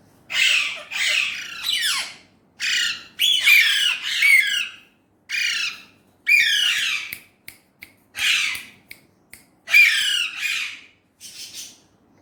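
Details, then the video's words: Indian ringneck parrot, described as talking in Urdu/Hindi, gives a long series of loud, harsh, high squawks in uneven bursts, with brief silent pauses and a few short clicks late on. "Indian ringneck parrot amazing talking parrot"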